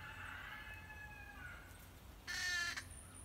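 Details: Green heron, apparently nesting in a tree, sounding alarm as a person came near. A fading nasal drawn-out note, a quiet gap, then a sudden loud, buzzy, heavily layered half-second squawk.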